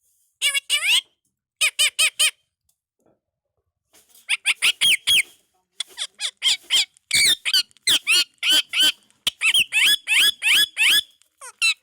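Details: Indian ringneck parakeet chatters in mimicked speech: two short bursts of clipped syllables, a silent gap, then a long rapid stream of high, harsh, word-like notes.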